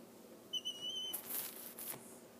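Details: Young Mississippi kite, abandoned and fallen from a tree in extreme Oklahoma heat, hand-fed indoors by foster carers: one thin, high, level whistle lasting about half a second, followed by rustling noise.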